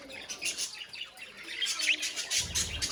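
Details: Colony of budgerigars, or parakeets, giving a busy stream of high, thin chirps and warbling twitters that overlap continuously, with a soft low rumble toward the end.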